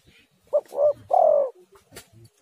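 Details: One three-note cooing phrase from a spotted dove, used to lure other doves into calling. A quick note, a fuller coo and a drawn-out descending coo are followed by faint low thuds and a click.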